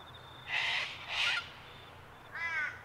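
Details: Sulphur-crested cockatoos at Mt Coot-tha, Brisbane, Queensland, on 6 November 2022, Canon R7 recording: two loud, rasping screeches about half a second apart, then a shorter, more tonal squawk, with a thin high whistle in the background.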